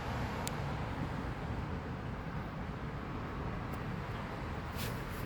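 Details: Low, continuous traffic rumble dominates, broken only by a few brief high clicks, with no bird or other animal voice.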